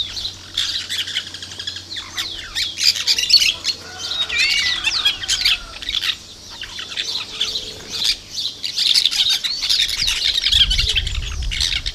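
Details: Plain parakeet flock, recorded 2 December 2012, keeps up continuous shrill chattering and squeaky chips, with faint fluttering and a low rumble near the end.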